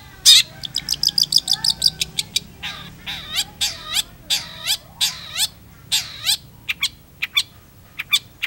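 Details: Long-tailed shrike song built from rapid, high ticking notes that give way to harsh, grating calls repeated roughly every half second, with thin whistles between them; quiet room-like background.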